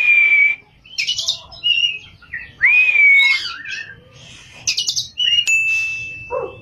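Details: Oriental magpie-robin singing actively in rolling, high-shooting style, holding long pure whistles, some swooping up then down, mixed with scratchy bursts and ending on a long level whistle.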